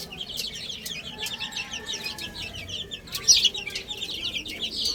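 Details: Little chicks peep continuously while eating and playing: thin, falling chirps, many per second, from a group of birds. A brief louder flurry of cheeps comes just past the midpoint.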